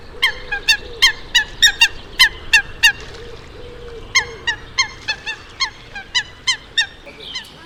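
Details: By a river with coot chicks present, a coot gives short, loud, nasal honking notes, about three a second, in two quick bursts over a faint steady low hum.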